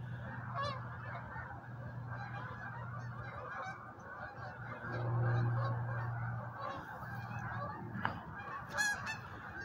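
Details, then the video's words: Several geese fly overhead at sunset by a river in Wisconsin, making a dense, continuous clamor of overlapping nasal honks over a steady low hum. "Geese Overhead"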